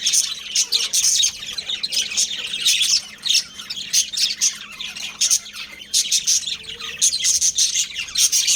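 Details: A breeding pair of budgies kept as pets, chattering with rapid, high-pitched chirps and squawky warbles, bursts repeated almost without break.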